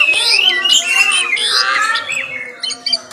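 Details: Morning song of an Asian pied starling (jalak suren): a dense, harsh jumble of squawks and rasping whistles that fades into a few sharp clicks near the end.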